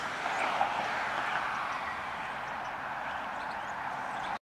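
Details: A common starling perched on a power line sings a dense, scratchy stream of chatter and wheezy rattles, running continuously for over four seconds over a faint background hum.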